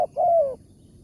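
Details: Spotted dove with a big voice, a wild bird being lured with a decoy bird at a morning site: a short clipped note, then one smooth, sustained coo that slides gently downward and fades, with quiet surroundings.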